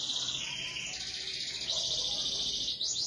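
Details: Canary in full song, a long unbroken high trill with rolling, rapidly repeated notes that shift pitch partway through.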